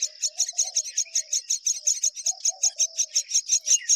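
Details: Myna pair rearing their babies together: rapid, high, scratchy chirps repeated about three times a second in a steady stream, over a constant thin high-pitched whine, with faint lower notes beneath.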